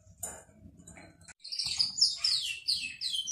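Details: Atlantic canary song played to encourage a silent canary to sing: after a second of faint chirps and low background rumble, a loud run of high, rapid warbled and trilled phrases sweeps up and down.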